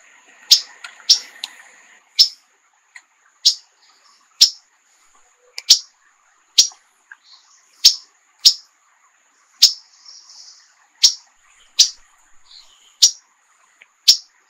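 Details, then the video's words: A rose-bellied bunting, a bird endemic to Mexico, gives sharp, high, downslurred chip notes, often in pairs, about once a second. Faint chatter from other birds sounds at the start. "Rose-bellied Bunting"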